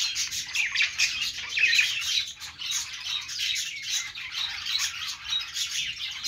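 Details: Budgies on a perch sing a rapid, gritty stream of chirps and whistled squeaks, louder near the middle and briefly easing before resuming their overlapping chatter.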